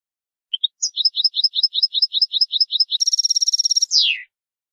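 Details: European goldfinch song in the bitbita style, used to stimulate goldfinches to sing: two short high chirps, then paired high chirps about five per second, a fast rattling trill, and a final descending slurred note; no background noise.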